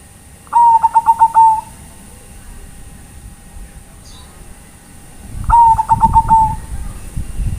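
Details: Bangkok-type zebra dove calling companions: two gentle rolling coo phrases, each a quick train of pulses ending in a held note, about five seconds apart, the second over low rumbling noise.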